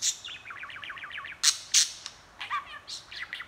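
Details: Pet budgie chattering: fast, wavering warbles, a few sharp high chirps and squeaks, and some rising and falling notes, against a soft background hiss.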